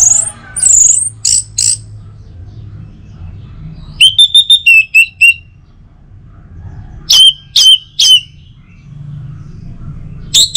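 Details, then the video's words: Orange-headed thrush song for rousing other birds in the morning: high thin whistles, then a quick chain of clipped ringing notes, later sharp downward-swept calls, with long quiet gaps between phrases. "Saatnya Buat ANIS MERAH NGEPLONG Gacor dirumah. Pancing dengan suara burung ini baik pagi hari."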